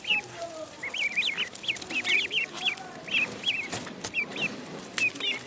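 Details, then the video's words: Duckling in a pond: high, wavering peeps in quick irregular bursts over a hissy, noisy background with occasional clicks and knocks. "Duck Sound duckling in the pond -duck quack"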